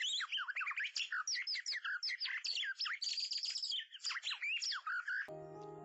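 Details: White-rumped shama song played from an MP3 alongside a mirror to lure birds: a dense, rapid run of varied whistles, chirps and trills, ending in a short burst of electronic tones.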